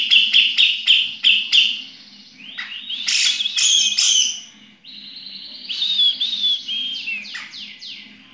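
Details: Sooty-headed bulbul song in the ngepik style, opening with quick bright repeated notes, then rich warbling phrases and a long wavering whistled trill.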